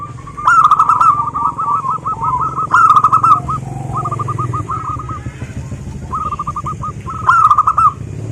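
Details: Several local zebra doves sing repeated phrases of quick, ringing coo notes, some loud and some distant, over constant low engine-like rumble; played to prompt other zebra doves to sing.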